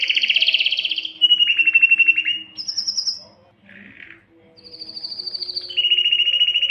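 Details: Canary singing, a sequence of long rolled trills and tours at different pitches: fast pulsed trills, a high clear whistle, a short soft burble, then more steady rolling trills in a clean indoor recording.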